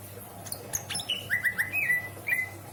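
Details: Greater green leafbird, a caged pet in Indramayu, Indonesia, delivering isian song: a few faint high notes, then a series of clear, downward-slurred whistles repeated about every quarter second, with a steady low hum behind.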